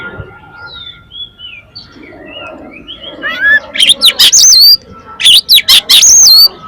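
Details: Oriental magpie-robin song played as a lure so other magpie-robins start singing. Gentle sliding whistles build into loud, rapid bursts of sharp, downslurred ringing notes.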